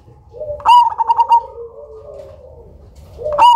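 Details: Loud Cemani zebra dove, a lure bird, gives a sharp note and a quick rattling run of coos, then softer lower cooing, and starts another phrase at the end.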